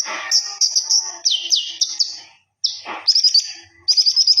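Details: Common iora belting out song to the point of display, used as a master recording: high whistles and swooping downslurs, a brief pause, then fast trilled notes and a rapid repeated twitter.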